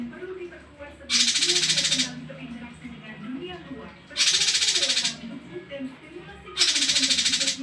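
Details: Male cungko with a varied song used for tutoring other birds: three harsh, dry, rapidly pulsed rattling bursts, each about a second long, repeated roughly every three seconds over faint low murmurs.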